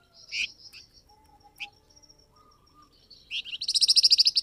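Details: Flamboyan bird calling to provoke a reply from wild birds: a few scattered sharp chirps and faint low notes over a thin steady whistle, then a rapid buzzy trill of about twelve pulses at the end.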